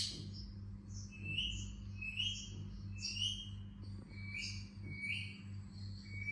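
Indian ringneck parakeet giving short, high whistled chirps, some sliding up or down, one every second or so, over a steady low electrical hum.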